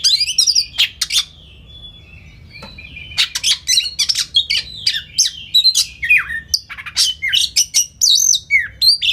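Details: White-rumped shama tutor recording packed with varied fills and rapid bursts: phrases of sharp chirps, slurred whistles and rasping notes separated by a quiet pause of about two seconds, over a faint low hum.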